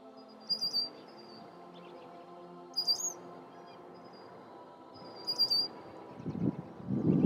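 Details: A male red-winged blackbird warning of intruders near its nesting area gives three thin, high, slightly wavering alarm notes, about two and a half seconds apart, over a low hum and some rumbling noise at the end.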